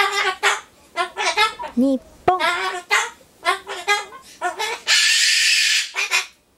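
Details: A pet Ducorps's (Solomons) cockatoo chatters in speech-like syllables, a run of short harmonic phrases, then gives one harsh, drawn-out screech near the end; speech mimicry.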